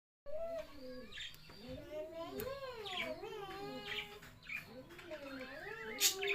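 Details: Budgerigar chicks beg while their parents feed them, giving a steady run of nasal, wavering chirps that rise and fall in quick arcs.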